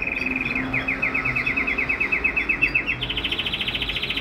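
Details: A canary in a home breeding aviary in March 2008 repeats clipped whistled notes, about eight per second, then switches to a faster, higher trill of short bright notes.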